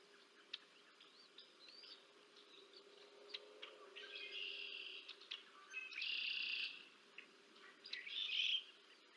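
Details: Wild bald eagles on the Decorah North nest, an adult feeding its two young, March 30, 2024: scattered high chirps building to two loud squealing bursts near the end over a low steady hum.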